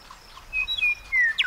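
A Western Meadowlark sings a quick phrase of clear, flutelike whistles that slur downward, ending in a bright, rapid flourish. The background is quiet.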